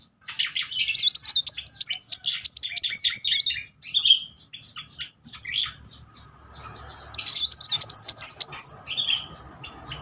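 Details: Van Hasselt's sunbird (kolibri wulung) singing rapid 'nembak beruntun' bursts, used as a lure; high, thin, wavering trilled phrases in two long bursts, with short sharp chirps between them and a faint low hum beneath.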